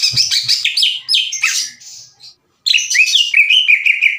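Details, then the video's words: Aggressive greater green leafbird singing loudly to challenge a rival: harsh slurred notes and buzzy chatter, a short pause, then a fast string of repeated whistled phrases. "NGAMUK...!!!! CUCAK IJO GACOR NGEPLONG DAN TEMBAKAN KASAR NGAJAK IJO LAIN TARUNG."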